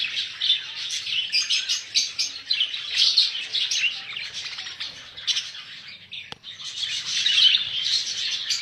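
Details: Group of budgerigars offered for sale, giving a steady mass of high, scratchy warbles and chirps that swell and ebb in bursts, with a brief click near the end.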